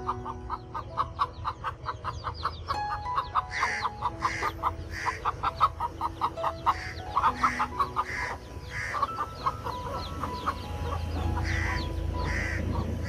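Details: Broody hen feeding her young chicks: a rapid series of short, low, rhythmic clucks, then higher scattered peeps from the chicks, with a faint steady tonal hum in the background.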